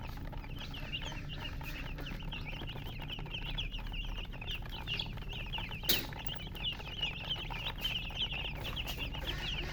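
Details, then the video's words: A flock of colored chicks keeps up dense, rapid high-pitched peeping, short wavering chirps overlapping without pause, broken by a single sharp click midway. "silly chicken chirping sounds"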